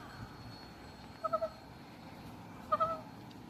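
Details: White peacock at a natural history museum murmuring softly: two brief clusters of quick nasal notes, three and then two, over a quiet steady hum.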